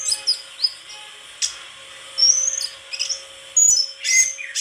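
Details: White-throated flycatcher with scattered thin, high whistled notes and short twitters between quieter gaps, with a faint steady hum behind.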